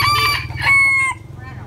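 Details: Rooster crowing loudly: a bright, ringing call that starts choppy, then swells into a long level note and cuts off after about a second, over a steady low engine-like hum.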